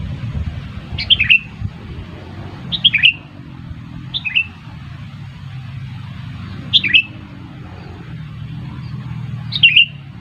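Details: Sooty-headed bulbul call used to lure birds into a trap, five brief chirpy phrases of downward-slurred whistles spaced irregularly across ten seconds, with steady low-pitched hum behind.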